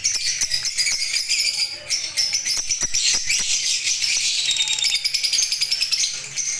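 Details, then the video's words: Several lovebirds keep up a dense, shrill chatter of high squeaky chirps and sharp clicks, calling over one another without pause. "love birds lovely singing"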